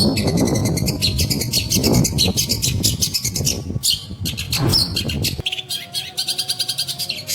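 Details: Shrike, a bird offered for sale, giving fast, scratchy, high chattering notes repeated rapidly, over loud low rumbling background noise that drops away near the end, leaving the quick notes clearer.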